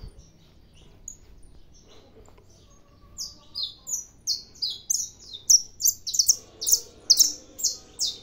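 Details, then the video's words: Kept saffron finch in Brazil, set out in the morning sun to warm up, bursts into song after three quiet seconds: a rapid string of high, sharp chirps that grows louder and denser toward the end. "canário da terra cantando"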